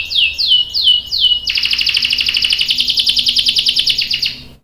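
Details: Canary song meant to lure a male into answering: four slow, loud, falling whistles, then a long, dense, buzzy roll of rapid repeated notes. This roll is the ngerol panjang style.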